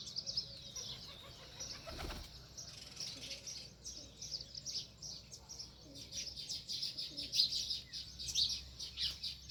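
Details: Sparrows near their nest in a village setting, giving a busy stream of short, high chirps that overlap and grow louder toward the end, with a brief thud around the second second and a faint low rural hum beneath.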